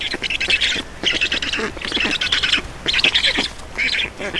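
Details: Black storks feeding at their nest in Estonia, evening of 4 June 2019; hoarse hissing squawks come in short bursts about every second, each with a rattling pulsed undertone.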